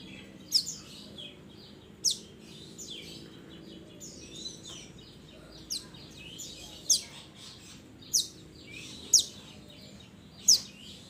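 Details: Mantenan of the mountains calling to its companions: thin high chirps falling steeply, some faint and some loud, given every one to two seconds, with soft twitters and a faint background murmur.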